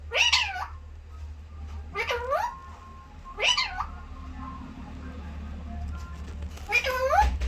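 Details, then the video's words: Parrot saying "mithu mithu". Four nasal, squawky spoken syllable pairs, each rising then falling, spaced over several seconds, over a low steady hum. "parrot taking"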